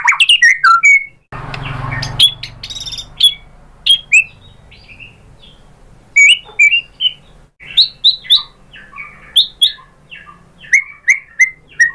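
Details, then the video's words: Shama song played as a lure for other white-rumped shamas: scattered sharp high chips and short whistles separated by gaps, with a brief burst of broadband noise early on. "pancingan JITU ‼️ MURAI BATU spontan EMOSI NYAUT jadi GACOR"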